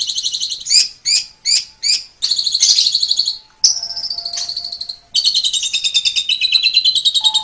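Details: A black-winged starling sings a run of five clipped chirps, then buzzy, rasping pulsed trills and a wavering whistled trill. A faint steady tone is heard in the background.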